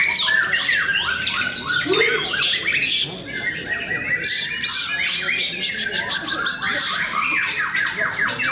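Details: At a singing contest in Cikeas, white-rumped shamas overlap in harsh rattles, buzzy bursts and clear rising whistles, the din briefly easing midway before swelling again.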